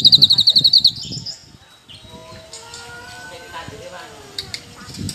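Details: Cucak kinoi bulbul in loud song: a quick burst of rapid, evenly spaced sharp chips, then a scattered run of clear whistled notes at varied pitches with soft chatter. Low murmuring voices sound faintly in the background.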